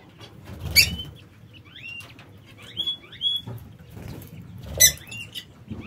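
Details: Lovebirds in an aviary make short upslurred chirps and squeaks, a few clustered together, with two loud broadband rustling bursts, likely wing flaps or perch movement.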